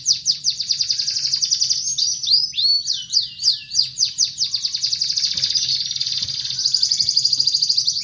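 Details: Lively canary song for prompting silent birds to sing: fast metallic trills, a run of swooping falling-rising slurs in the middle, then steady rapid rattles and a bright repeated trill at the end.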